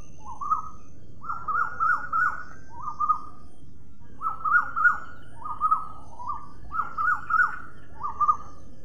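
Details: A hand-fed pet Indian ringneck parakeet calls in quick clusters of short, nasal, mid-pitched notes, two to four at a time, with irregular gaps between bursts and low room hum beneath.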